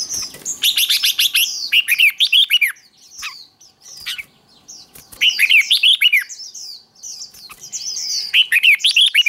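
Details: Red-whiskered bulbul singing for contest training, rapid series of bright, slurred whistles in repeated bursts separated by brief pauses, with high, thin chirps between phrases.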